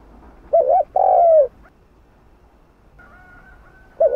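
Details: Spotted dove coo in 'hạp bổi' style, used to stimulate other doves: a wavering short note and a long falling coo, then a quieter stretch with a faint thin steady tone before another note begins.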